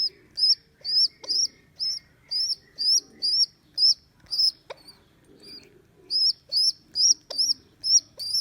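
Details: Rescued baby rock pigeon, abandoned by its mother and taken from a neighbour's roof, squeaks in a steady series of thin, high, rising-then-falling notes about twice per second, with a brief pause near the middle and faint low background hum.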